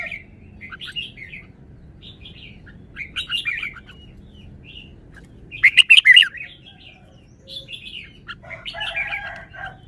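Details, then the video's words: A red-whiskered bulbul delivers a well-phrased song (samnuan), in quick, liquid, warbled phrases of chirpy notes at irregular intervals. One louder, dense burst comes near the middle, and softer chattering follows, over a faint steady hum. "นกกรงหัวจุก จ้าวมาดี สำนวนดี"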